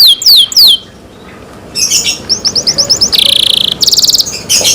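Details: Caged canary gives a few high descending notes, falls silent briefly, then sings a rapid pulsed trill followed by a buzzy rattling phrase.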